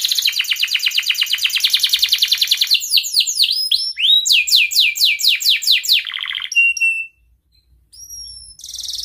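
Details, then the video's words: Canary in breeding condition, singing to call a rival, used to teach young canaries: fast rolling trills of rapid repeated notes, then a series of sweeping slurred whistles, a brief pause and thin high whistled notes. "Kenari gacor Cuit Cuit ngeroL BIRAHI memanggil LAWAN"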